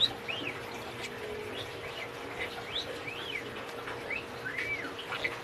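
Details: A talking parakeet that speaks Filipino and English chatters in quick, arching chirps that rise and fall, with a steady low hum underneath.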